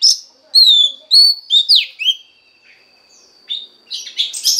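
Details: Song of a female Oriental magpie-robin meant to stimulate the male: clear, sweet downslurred whistles and a sharp swooping note, a pause with a faint thin tone, then harsher scratchy chattering notes at the end.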